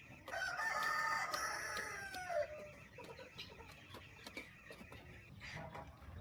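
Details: Chicken on a small countryside farm during morning feeding; a loud drawn-out crow lasting about two seconds with a falling tail, followed by softer scattered clucks and farmyard clatter.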